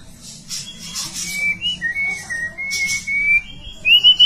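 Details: White-rumped shama at a singing competition: a thin whistled phrase of sliding notes that dips, levels, then climbs to a sharp rising note at the end, over a low steady hum.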